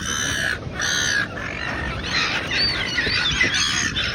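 Silver gulls give harsh, grating squawks in two long bursts, followed by a jumble of overlapping higher cries from several birds.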